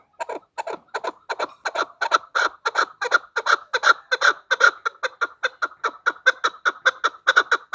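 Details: Chukar hen call used as a hunting decoy: an unbroken train of husky, repeated chuk notes, nearly three a second, holding a steady rhythm and rising slightly in loudness throughout.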